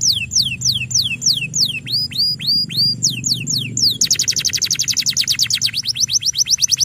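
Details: Singing male canary, played to train young birds: evenly spaced falling whistles, a stretch of looping upswept notes, then a very fast rattling trill of short descending notes, over a low hum.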